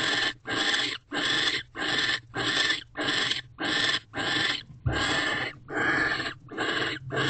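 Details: Barn owls inside a nest box on a December night in 2023, male returning to mate and guard the door; a rapid train of short, noisy hissing screeches, roughly ten in seven seconds, fairly even in spacing.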